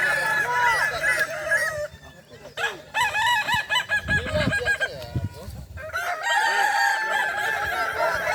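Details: Boko-class Kukuak Balenggek roosters competing in a crowing contest final, Solok regency: overlapping multi-note crows with rising and falling tones, a short drop-off around two seconds in, then renewed crowing alongside background voices.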